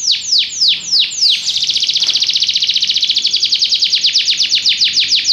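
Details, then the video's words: Belgian canary singing: a run of loud descending whistled sweeps that speeds into a fast, even rattling trill of high, bright notes, repeated several times a second. "espetacular canto canário belga"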